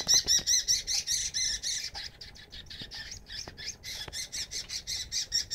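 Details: Young oriental magpie-robin begging its mother for food near a home, giving a steady run of rapid, high rasping squawks, about two or three each second, loud at first and then slightly softer.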